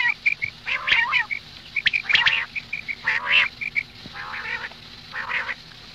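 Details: Female common quail, morning calls: a cluster of short chirps and grating squawks, then three drawn-out rasping notes that fade toward the end.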